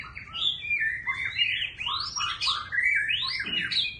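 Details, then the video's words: Rich, fast White-rumped shama song of sweeping whistles that rise and fall, packed close together in one continuous varied phrase, its voice changing throughout. "Choè Lửa Hót Hay Giọng Thiên Nhiên Quá Đẳng Cấp - Hót Đảo Giọng Cực Hay"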